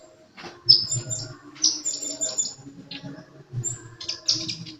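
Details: Sunbird singing vigorously: sharp, very high chirps and short downslurred notes in scattered bursts, with pauses between phrases, over a steady low hum.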